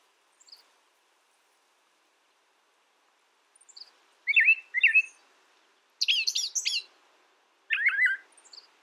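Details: Brown thrasher song with phrases often given in pairs: two matching slurred notes, then a high buzzy double phrase, then a lower chirpy one, set against silence.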